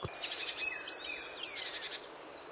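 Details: A male Eurasian nuthatch sings on its territory in a Polish forest in early March, trying to attract females: quick bursts of high, sharp notes threaded with thin whistles, other songbirds faint behind.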